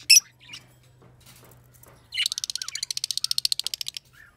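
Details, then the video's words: A lovebird opens with a sharp squawk, then gives a fast, rhythmic series of harsh chirps, about eight per second, with a low hum underneath. "Love birds sings"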